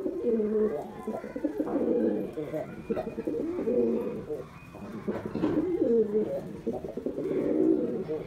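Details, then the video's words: A white male domestic pigeon coos in deep, rolling, throaty phrases, swelling and fading several times in a small indoor space. "Male Pigeon Super Performance"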